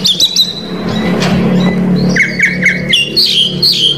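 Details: Oriental magpie-robin from Indonesia in cor dor style, unloading its full repertoire of mimicked phrases to provoke rival males. Short high whistled notes come first, then a run of flat mid-pitched whistles and sharp rising notes, over a steady low hum.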